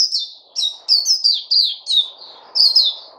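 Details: Bird singing a series of bright, high, downslurred chirps, each note sliding from a sharp start into a lower trill, spaced about every half second with short gaps.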